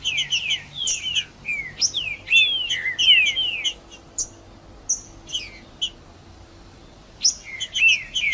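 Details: Green-winged saltator singing in the bush, recorded to stimulate and warm up a cold caged bird. Loud, slurred whistles sweep downward in quick phrases, with thin high chips between them and brief pauses near the end.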